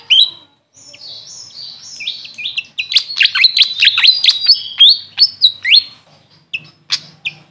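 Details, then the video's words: Grey fantail, called Maria Capra locally, opens with drawn-out thin high whistles. It breaks into a fast squeaky twittering burst, then trails off into scattered sharp chips. "Grey Fantail bird call||huni ng Maria Capra kung sa amin tawagin"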